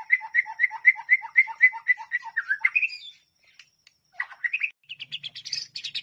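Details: White-rumped shama (murai batu) song from a masteran training recording: a rapid series of paired chirping notes, about four per second, then a brief gap followed by higher, varied twittering phrases.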